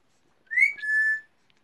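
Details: Pet talking Alexandrine parakeet imitating "good night": a high, whistle-like first syllable, then a steady flat note, lasting under a second, in a quiet room.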